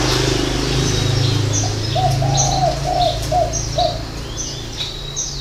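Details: Spotted dove at a dove-keeping garden in Ba Vì, Hanoi, in the six-note style with a three-note ending. A short burst of hollow coos rises mid-way above a loud low hum, with high bird chirps scattered around.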